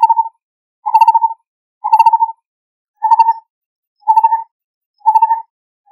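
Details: A lineated barbet (Psilopogon lineatus) calling to its mate gives low, hollow, bubbling notes, about one burst per second, each a quick rolling trill repeated steadily.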